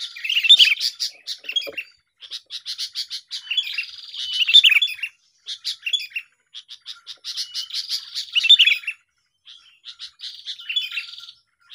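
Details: Sooty-headed bulbuls singing in a lively contest, used to lure birds for trapping: repeated bursts of quick, scratchy chirps and warbles, each lasting about two seconds, separated by pauses.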